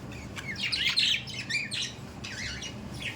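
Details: Pet budgerigars twittering with warbled, whistled chirps and scratchy notes in a steady, lively stream.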